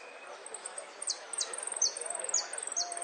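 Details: Saffron finch (jilguero) singing in the style of golpes, pitadas and prio: thin, high notes, each sweeping steeply downward, repeated about twice a second among faint high twitters, with low background hiss.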